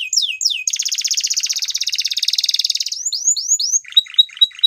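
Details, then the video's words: Waterslager canary singing: two falling whistles, a long fast pulsed trill, three rising-falling whistles, then short bubbling notes with high pips. "Canary Waterslager Singing"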